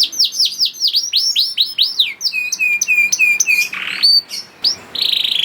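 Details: Juvenile canary singing to draw other canaries into song: repeated descending swoops, a string of flat whistled notes, a harsh buzzy burst, then a rough sustained trill.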